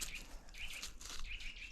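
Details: Eurasian nuthatch on a sunny early-morning walk on 8 March 2024 gives its Morse-code-like call, one of its many similar calls: short, sharp, high notes in quick clipped bursts over a low outdoor rumble.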